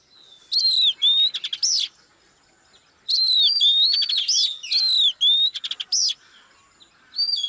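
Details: Oriental magpie-robin hen singing to lure a male into singing. Two bursts of song, separated by a short silence, mix pure sliding whistles with fast rattling clicks and high upward squeals.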